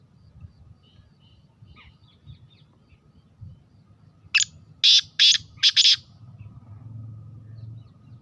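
Black francolin giving one loud burst of five harsh, grating notes in quick succession, over a low background rumble.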